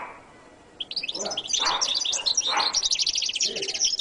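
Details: After a short quiet start, a goldfinch called jilguero latino bursts into rapid high twittering that builds into a fast stuttering trill, with low rumbling thumps underneath.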